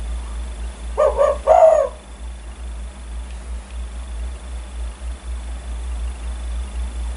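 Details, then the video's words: One low coo phrase from a lively spotted dove, 'kuk 1' type, said to start other birds calling: a few fast stuttering hoots, then a longer rolling coo, then steady background hum. "Burung tekukur gacor idaman kuk 1 bikin geger burung lain ikutan bunyi"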